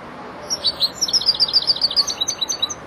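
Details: Young European goldfinch, four months old, learning to complete its song phrases; a long fast string of bright, high twittering notes over faint background hiss.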